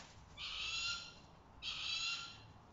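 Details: Striated caracara, one of three captive birds, during enrichment: two loud, harsh, screeching cries, each nearly a second long, separated by a brief pause, over a quiet background.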